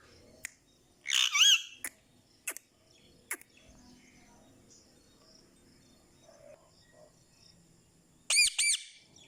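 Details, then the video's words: Indian ringneck parakeet, a spirited pet talking parrot heard speaking Urdu and Hindi, lets out a loud wavering squawk, then sharp tapping clicks, a quiet gap, and a final burst of three ringing arched squawks. "So Energetic Ringneck Talking Parrot"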